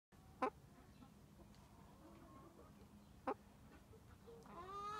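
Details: A five-month-old mahogany-red silkie hen gives two short, clipped clucks about three seconds apart, then a drawn-out rising note, over a steady low background rumble.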